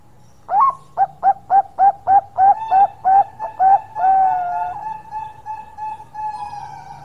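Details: Zebra dove of the Bangkok type in long song: a rhythmic chain of ten or so clipped, mellow cooing notes, then a drawn-out wavering coo fading into a soft trill.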